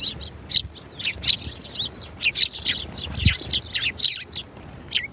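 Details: Many sparrows twitter in lively, closely spaced high chirps, some sharper notes standing out above the chatter, and a single low thud midway.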